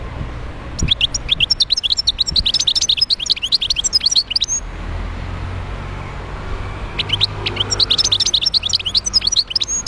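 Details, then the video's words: European goldfinch from the wild, Médéa, Algeria, delivering a long, fast twittering phrase of bright chirps and buzzy trills for about four seconds, a pause with faint traffic-like rumble, then another lively twittering run. "تغريد حسون خلوي(المدية)."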